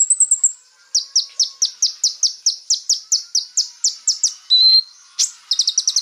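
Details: Konin song meant to make rival birds agitated: a short high trill, then a steady series of about sixteen sharp, evenly spaced chirps, a lower level whistle, and a final fast burst of chirps.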